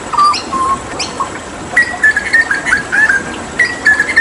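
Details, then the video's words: During bathing, a hooded butcherbird from Papua sings bursts of clear whistled notes: a short low pair, a pause, then a run of quick warbled whistles and a final sustained phrase, with sharp clicks between. "Masteran Tembakan JAGAL PAPUA gacor"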